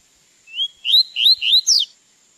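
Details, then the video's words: A caged Double-collared seedeater being trained to perfect its song sings a quick phrase of about five bright, upslurred whistles, ending in a higher, falling note, over a faint steady high hum. "Como Encartar Um Coleiro Em 30 Dias"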